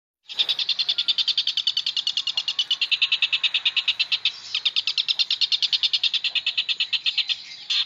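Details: Long-tailed shrike (pentet) with rich song content, used as a master recording for training magpie-robins. A fast, steady series of harsh, pulsed chattering notes runs unbroken for about eight seconds.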